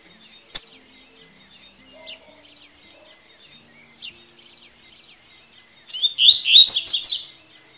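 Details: Double-collared seedeater singing the tui-tui style of song, used for training young birds to open their song: a lone sharp chirp early on, then a rapid burst of descending twittered notes lasting about a second and a half, over faint distant bird chatter.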